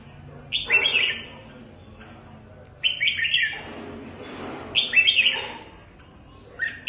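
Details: Red-whiskered bulbul from Cao Bang, a caught bird used as a trapping decoy, delivering short, rich whistled phrases every two seconds or so, each a quick rising-falling flourish.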